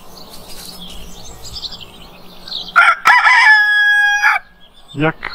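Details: Morning crow of a rooster: quiet background chirps of other birds, then a loud rich crow lasting about a second and a half with a long held ending, followed by a short low cluck.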